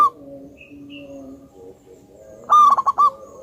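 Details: Loud-voiced, highly vocal zebra dove of local wild stock, recorded as a lure. A phrase ends at the start, then after quieter low droning a full phrase follows: a held note and several quick stuttering beats.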